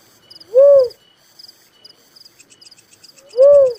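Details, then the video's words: Two deep, rounded coos from a little cuckoo-dove about three seconds apart, each swelling and fading. Rapid, rhythmic high insect chirring continues throughout. "suara burung tekukur merah || suara burung uncal"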